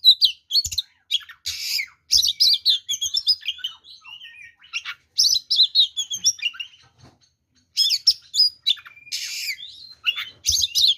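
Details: Continuous, varied song of an oriental magpie-robin in fighting mood, used to provoke rivals: dense runs of high whistles, chirps and harsh buzzy bursts in several long phrases with brief gaps.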